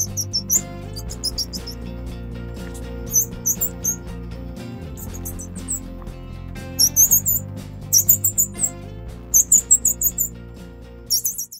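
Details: Grey-cheeked fulvetta chicks being fed by adults give bursts of thin, very high, rapid begging squeaks in clusters, over steady background music.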